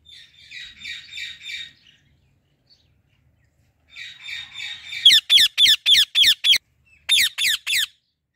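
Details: Female Indian ringneck parrot in a flowering apple tree. Soft buzzy chatter, then silence, then more chatter building into a rapid string of loud, shrill, harsh squawks repeated several times a second.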